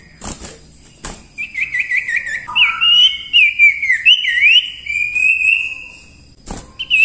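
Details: Common Iora singing vigorously as a tutor recording for songbirds: a quick run of wavering whistles, then tangled slurred notes and a long level whistle, framed by loud clicks.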